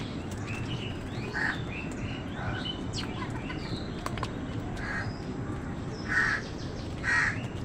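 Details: Crows and wild birds fight over food. Rough caws come irregularly, some faint and some loud, with the strongest pair near the end. Thin chirps and clicks from other birds are mixed in.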